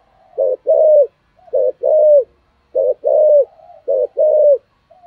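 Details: Spotted dove decoy bird with a 'giọng sấm thổ' voice giving 'thúc gù' coos; four clean pairs of deep hoots, a clipped note then a longer downward-sliding one, spaced about every 1.2 seconds in quiet surroundings.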